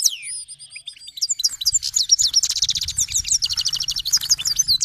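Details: A Himalayan goldfinch, an Iranian Himalayan–black-headed cross, sings a fast, bright run of tinkling twitters and buzzy trills, high-pitched and continuous, with a low hum underneath.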